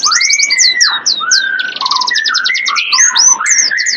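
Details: Lure recording of wild birds: many high, rapid chirps and upward-sweeping notes layered over a lower, steady whistled trill. The calls overlap densely throughout.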